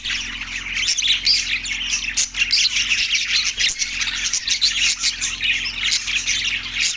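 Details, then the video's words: Budgerigars in Larkana, Sindh, on March 14, 2024, keep up a loud, steady babble of shrill chirps and raspy squeaks, rising and falling in short waves. "budgies chirping sound effect"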